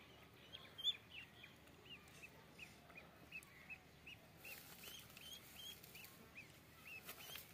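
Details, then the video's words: Soft, high peeps from ducklings, short downslurred notes repeated every fraction of a second against a quiet, hissy background. "Duck Chicks"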